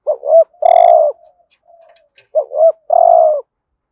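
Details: Spotted dove decoy call in the hạp bổi voice, meant to draw wild doves quickly: two phrases of paired short looping hoots ending in a drawn-out husky coo, with a brief high tick during the first.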